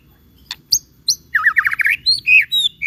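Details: Energetic white-rumped shama song meant as a lure for birds in training to answer: a couple of sharp clicks, then a rapid buzzy warbling run followed by clear high whistled notes in quick succession.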